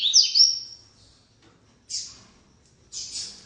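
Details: Rusty-collared seedeater giving short song phrases: a bright, buzzy, twittering burst, then two brief hissing high notes after pauses of about a second.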